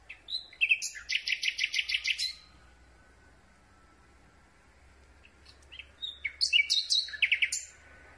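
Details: Common Nightingale singing at night, recorded from very close with a microphone on a telescopic boom. Two phrases of rapid, repeated dry notes rattle out in fast series, separated by several seconds of quiet background hiss.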